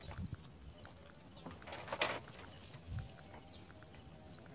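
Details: House sparrow nestlings, three young at the nest being fed by both parents, give thin, high cheeping notes repeated in quick runs, with soft clicks and a brief broadband rustle in the middle.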